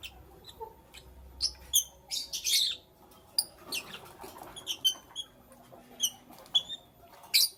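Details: Pet lovebirds in the morning giving scattered thin high chirps and brief raspy chatter, spaced irregularly with quiet pauses, over a faint low background hum.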